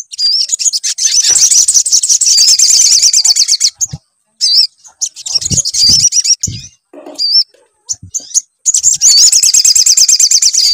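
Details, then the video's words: Sunbird song used as a lure to get a sunbird to sing: long bursts of rapid, high, shrill twittering with looping whistled notes, broken by short pauses and a few soft low thumps. "PANCINGAN SUARA SOGON AGAR BUNYI"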